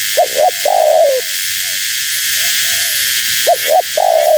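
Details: Calling female spotted dove, used to lure wild doves. Two short, sharp notes lead into a drawn-out, gently descending coo. Faint lower coos fall between phrases, with constant background hiss.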